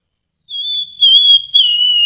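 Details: Grey-headed babbler giving a pure, steady whistle in three closely joined phrases, the last slightly rising and strongest, over near silence.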